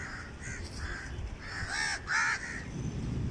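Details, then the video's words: Crows give a rapid series of harsh, hoarse caws, about six in three seconds, some overlapping, over a low rumble of background noise. "Crows birds crowing Sound"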